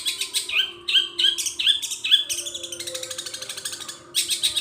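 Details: Long-tailed shrike singing a long song filled with imitations of other birds, including gereja petir, kunti and tengkek buto. The song has rapid, harsh chattering bursts with short whistled notes, then a brief pause and renewed chatter over a steady low hum.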